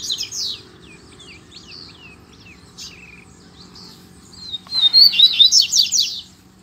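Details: Double-collared seedeater song during a contest with a loose male: scattered quick chips and slurred whistles, then a loud rapid burst of buzzy trilled notes near the end.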